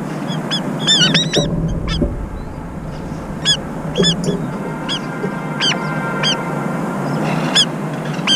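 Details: Brown-eared bulbul, one of a pair taking turns keeping watch while the other feeds and bathes, giving loud, harsh, arched screeching notes in clustered bursts throughout, over a steady low background rumble.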